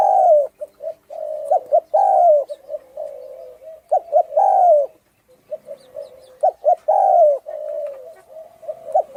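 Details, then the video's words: Spotted dove, Thai line with a husky voice, giving its provoking coo: loud, drawn-out hoarse coos falling slightly in pitch, alternating with short clipped notes, with a brief silent gap midway. "Tiếng chim cu gáy thái giọng khàn gáy gù kích trống mái kích bổi nhanh nổi"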